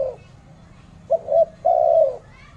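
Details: Spotted dove in Malaysia calling: a low soft coo, then a short two-part coo and a longer drawn-out hoarse coo, with faint background hum.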